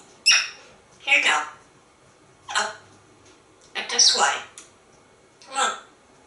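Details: Pet African grey parrot living in Texas keeps bossily asking for a cookie in an office; five separate mimicked speech phrases, each under a second, spaced by silent gaps.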